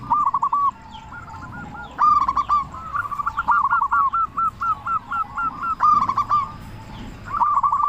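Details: Zebra dove of local stock, a loud singer meant to stir quiet doves into song: clipped, bubbling coos in quick runs, one long series of evenly spaced notes mid-clip, other doves cooing faintly underneath.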